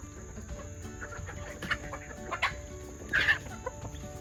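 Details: Yard flock of second-generation junglefowl hybrid chickens with game hens at feeding time; several short clucks and cackles in loose bursts, a louder squawking pair near the end, over a steady high whine and background murmur.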